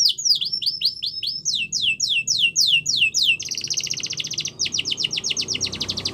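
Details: Yorkshire canary song for training: downward-sweeping whistled notes repeated several times per second, then a dense buzzy rattling roll, with a low background hum.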